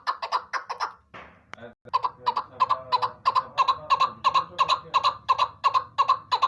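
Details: A female chakor (chukar partridge) repeats harsh, clucking chuck notes, about three per second and steadily paced, after a brief pause with a soft thump.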